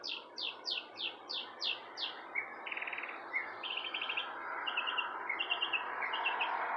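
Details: Bird chirping outside a porch: a run of seven quick descending high notes, then buzzy trilled phrases and repeated chirps, over a steady broad background hiss.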